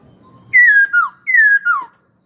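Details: Eager-singing kept hwamei repeating a loud two-part whistled phrase twice: a long slightly falling note, then a shorter note dropping steeply, each phrase lasting about half a second.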